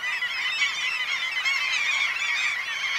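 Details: Breeding Black-legged Kittiwakes, wild, in coastal Møre and Romsdal, Norway, mid-May. Many birds call at once, and their harsh, rising-and-falling nasal notes blend into an unbroken, steady chorus.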